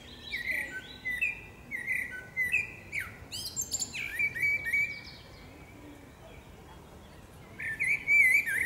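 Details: Common blackbird, a singing female in forest, delivers a run of mellow whistled phrases, each closing with thin scratchy high notes, a pause, then a fresh warbling phrase at the end.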